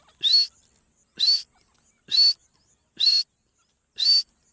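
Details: Partridge, locally called dakhni teetar, giving five short, loud, harsh calls about one second apart, each with a bright rising whistled note, in an otherwise quiet setting.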